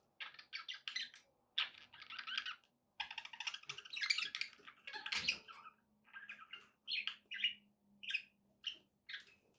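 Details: Pet budgies chattering indoors: rapid scratchy warbled chirps in bursts, then separate short whistled notes at the end, with a low steady hum beneath.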